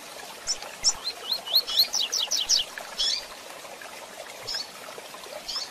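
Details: Rusty-collared seedeater in the tui tui zel zel song style, heard with female chirps for training: a quick series of sharp, high rising notes repeated rapidly for about two seconds, then scattered softer chirps.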